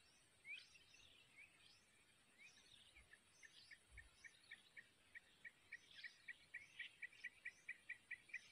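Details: Newly hatched wild Yellow-vented Bulbul chicks begging while a parent feeds them at the nest: thin high chirps that quicken into a steady, insistent series of short pulses, over a hissing outdoor background.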